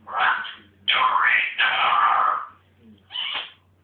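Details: Excited pet African grey parrot going a bit mental: loud raspy screeching squawks in quick succession, two long harsh blasts in the middle and a shorter one at the end, over a faint low hum.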